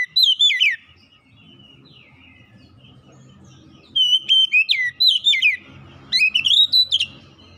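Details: Kacer, the Oriental magpie-robin, singing a lure song to rouse a reluctant bird: short bursts of bright whistles and twittering notes at the start and again near the end, with a steady low rumble of background noise between.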